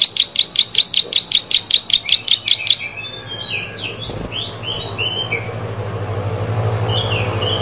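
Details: Plain prinia singing vigorously: a quick series of sharp, buzzy high notes for under three seconds, then stopping, after which varied swooping chirps from another bird and a low hum are heard.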